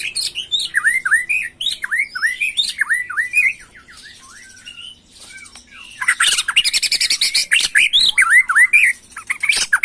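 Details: Agitated white-rumped shama singing macul style. A rapid series of loud, down-slurred whistled notes repeats several times a second, then a quieter pause. After that comes harsh, buzzy chattering mixed with more whistled slurs.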